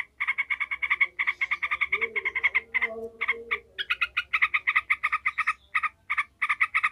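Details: Agitated, excited yellow-vented bulbul in a fast, harsh, nasal chatter of evenly spaced notes, about eight a second, broken by short pauses and a brief lower murmur.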